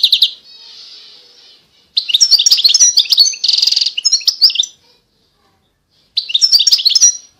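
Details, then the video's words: European goldfinch singing a fast twittering phrase with a long buzzy nasal note and a rattling trill, then a pause before another bright tinkling burst. "Chant De Chardonneret"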